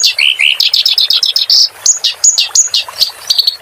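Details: Song of a clamorous reed warbler, meant for training kept songbirds. It opens with low, slurred notes, then rattles into fast chirps and ends with sharp, separated high whistles.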